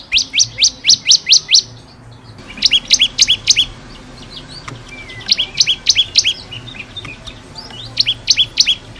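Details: Tutor recording of a bar-winged prinia (ciblek kristal) singing 'gacor' for caged birds to learn from: bursts of rapid, evenly repeated high ticking notes, about four per second, in several separate runs with brief pauses.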